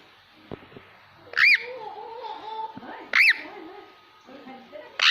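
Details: Indoor ringneck parakeet whistling and talking in different voices: two piercing arched whistles less than two seconds apart, with soft warbled, speech-like murmuring between them and a third whistle starting at the end.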